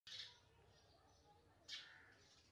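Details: House sparrow chicks begging while being fed: two short, bright, harsh chirps about a second and a half apart, fairly faint, over a low background rumble.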